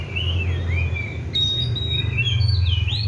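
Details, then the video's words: Oriental magpie-robin, a kept bird given seven crickets and morning and evening baths, delivering long sweet whistles that waver and glide up and down, ending on a rising slur, with low hum underneath. "KACER GACOR PELAN TAPI PASTI"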